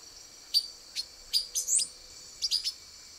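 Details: Hidden in branches in Brazil, a male silver-beaked tanager utters a few sharp, clipped metallic notes in loose pairs and triplets, one rising slur among them, over a constant high-pitched insect drone.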